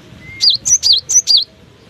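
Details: Cinereous tit keeps singing in strong wind, giving a run of five high, clear, slurred whistled notes in about one second, each note sharply rising and falling, with faint wind noise underneath.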